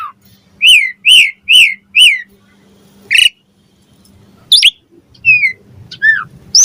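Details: Asian pied starling song meant to provoke other starlings to reply: four loud arched whistles in quick succession, a pause, then scattered sharp rising and falling whistled notes with quiet rustling between.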